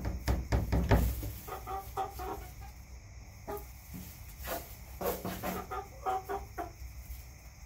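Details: Backyard chickens clucking: a loud burst of rapid clucks at the start, then softer irregular clucks in short clusters, with a steady low rumble underneath.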